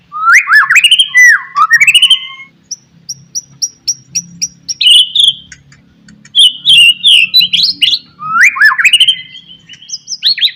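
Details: A white-rumped shama's lively morning song, played to set other shamas singing. Rich, varied phrases of slurred whistles alternate with runs of short high repeated notes, sung nearly without pause.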